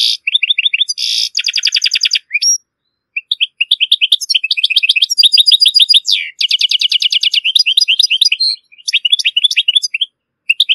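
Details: A European goldfinch gives strong, error-free song, used to tutor goldfinch chicks and hybrids: a fast, tinkling run of bright twittering notes and buzzy trills, broken by brief pauses, with no other sounds.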